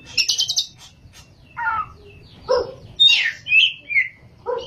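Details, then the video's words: Oriental magpie-robin in full song, delivered in ngerol and nembak styles: varied clear whistles and buzzy phrases, some notes rising sharply and high, others lower and harsher, given in short bursts separated by brief pauses. "kacer gacor ngerol,nembak"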